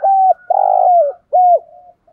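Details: Spotted dove cooing in the morning, male and female birds calling to stir newly caught doves. A steady coo, a longer rich coo sloping down at the end, then another clear coo, loud and close.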